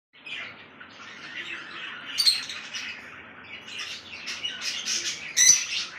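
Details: A lovebird in Kolkata gives harsh, scratchy chattering with sharp shrill squeaks near two and five seconds, kept up almost without a break.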